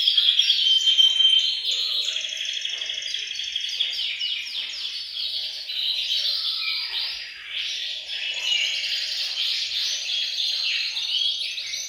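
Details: Group singing of canaries in a bird room, meant to stimulate males to sing. A long, unbroken mesh of high chattering trills and rapid chirps runs throughout at a fairly even loudness.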